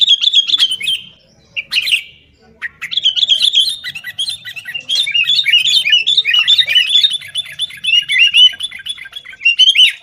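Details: Sooty-headed bulbul in fighting-style chatter, played to make caged bulbuls sing; a few short phrases separated by pauses, then from 3 seconds a long, dense stream of harsh and sweet jumbled notes.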